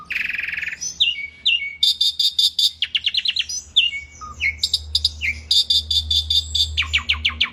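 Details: Asian pied starling in lively, persistent song used as a tutor recording for other birds: a harsh buzzy burst, then rapid repeated clicking notes, short whistled slurs and stacked buzzy phrases, with a faint low hum underneath.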